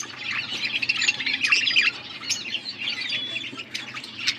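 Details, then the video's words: Blue budgies trading food on August 13, 2024, with fast, fluttering squawky chatter and thin whistled notes running almost without break above a low background hum. "Beautiful blue budgies 💙 feeding to each other birds chirping sounds"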